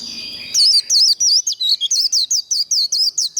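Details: Trilling contest song of a white-eye, used for training birds to compete: a quick series of a dozen high, swooping whistled notes, each clipped and evenly spaced, after a brief murmur of low background sound.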